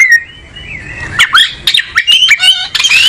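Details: Oriental magpie-robin beginning with a soft, level whistle, then launching into quick, bright whistled notes and twittering flourishes that climb higher toward the end.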